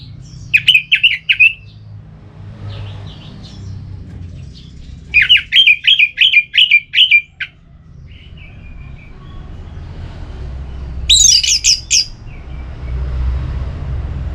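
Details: Ngeplong-style song of an orange-headed thrush, meant to provoke a listless bird into answering: two bursts of quickly repeated sweet whistled notes, then a shorter high, twittering flourish, separated by quiet gaps.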